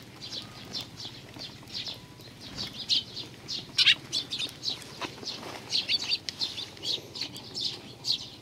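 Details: A group of Eurasian tree sparrows on a bench, arriving to be fed on 3 June 2020, chirping busily with many short high notes coming several per second, some louder bursts, over faint background noise.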